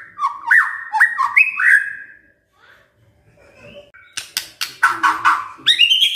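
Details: White-rumped shama song full of crackles and shots: rich whistled slurs at first, a quiet gap, then loud harsh clicks and rising buzzy notes ending in a high upslurred whistle.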